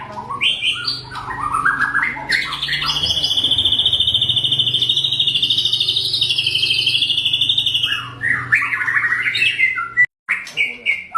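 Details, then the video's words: Fighter-style white-rumped shama song, meant to rouse rival shamas: brief, rising, chirpy phrases lead into a sustained, fast, rattling trill lasting over five seconds, then clipped notes, over a low steady hum. "tembakan tajam murai batu penuh emosi fighter"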